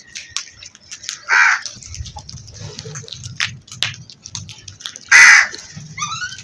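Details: Two loud, hoarse crow caws spaced about four seconds apart, with low background rumble and faint chirps between them.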